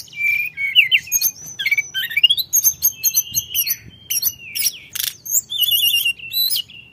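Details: Lively song of a Sunda forktail (tledekan gunung): scattered high chirps, squeaky rising and falling whistles and brief sharp notes, uneven in rhythm and loudness, over a quiet low hum.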